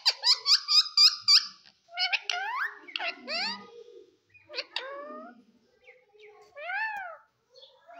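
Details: Green parrot talking in a lively string: five evenly spaced, loud clipped syllables, then groups of rising and arching harmonic voice-like notes separated by pauses.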